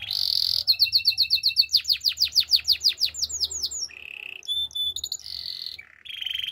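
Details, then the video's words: Spanish Timbrado canary song: a loud trill, then a rhythmic series of descending whistled notes speeding up, followed by short buzzy rolls and a high thin whistle. "Spanish timbrado canary singing"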